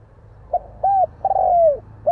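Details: Spotted dove delivering a short note, an arched coo, a long burry descending coo, then starting the next phrase with another clear coo, over low background hum.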